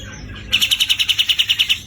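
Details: Javan cucak jenggot, the grey-cheeked bulbul, bursting into a harsh besetan kasar trill: about a dozen quick, grating pulses at a steady pace after a short quiet start.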